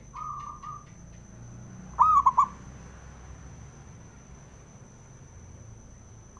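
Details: Male zebra dove, local Javanese perkutut, singing to provoke other doves into song: one short burst of mellow, rolling cooing notes after a faint sustained tone, over low background rumble and a thin constant high tone.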